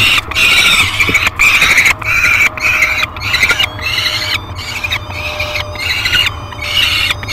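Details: Peregrine falcon nest at feeding time, live-cam recording from 15 July 2021 while a small yellow bird is delivered as breakfast; shrill, grating calls come in rapid, slightly irregular bursts, nearly continuous, with a constant low hum underneath.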